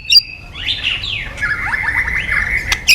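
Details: White-rumped shama song played to coax other birds to sing: a continuous run of buzzy, slurred, falling notes blending into a sustained rough warble, framed by two sharp clicks.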